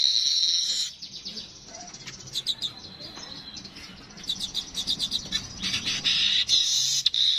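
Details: Streaked weaver, locally called manyar kepala kuning, in a recording offered as natural voice for tutoring songbirds: dense high chattering and buzzy trills, loud at the start and end with a quieter middle stretch of ticking notes.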